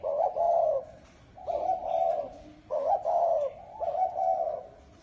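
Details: Spotted dove in the bronze-bell voice style, cooing and crooning to lure wild doves and stir up males and females; four low, hollow, throaty coo phrases, each about a second long, repeated with short pauses.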